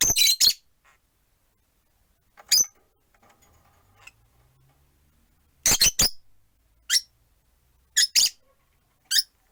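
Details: Four rosy-faced lovebirds kept as pets in a cage by a window, one on a perch; bursts of shrill chirps with a low rumble partway through.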